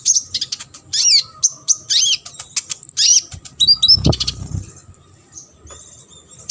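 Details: Sunbird song used as a tutor recording for competition birds: rapid, high, sharp chirps and looping whistled notes in quick varied bursts, with a short low thud near the middle and a steady faint background hum.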